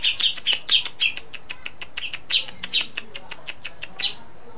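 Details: Cucak jenggot (grey-cheeked bulbul), a steady, frequent singer with besetan, lovebird, sparrow and cililin fill-ins: a short series of high chirps mixing louder accented notes with softer thin ticks, ending abruptly.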